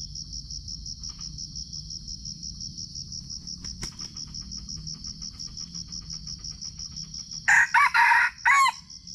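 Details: Red junglefowl in Sumatra, recorded on a GoPro during a trapping session. A short, loud, clipped crow in a few harsh bursts comes near the end, over a steady, fast-pulsing, high insect trill that runs throughout.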